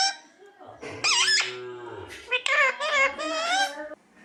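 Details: Talking parrot kept as a pet, newly arrived and fearful, producing squeaky nasal speech-like phrases with wavering pitch in several quick bursts, with a low murmur of human voice beneath.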